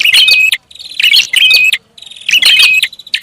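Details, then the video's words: Prinia calling in a lure recording: three energetic bursts of twittering chirps, each ending in a steady whistle, with short silences between them. "SUARA PIKAT BURUNG PRINJAK ATAS RIBUT"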